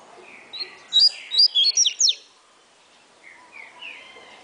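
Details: Captive double-collared seedeater from a breeder, singing the fast 'atilharia' song style, stated at 16 to 28 songs per minute: one quick burst of five sharp, high, clipped whistled notes, then a few softer trailing notes over faint room noise.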